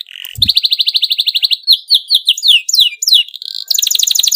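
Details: Excited canary in dense rolling song, meant to prompt other canaries to sing along: a brief low thump, then a fast even trill, followed by quick swept notes and another rapid high trill.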